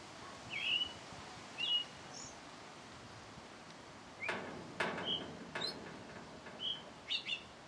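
A thrush sings short, clear whistled phrases, each a second or so apart, over a steady hiss, with a few sharp knocks or rustles midway.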